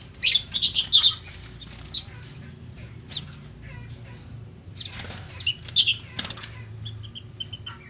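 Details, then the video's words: Lovebird calls: sharp high chirps and squeaky twittering in short clusters, with quieter gaps and a steady low hum underneath. "love bird (burung cinta)"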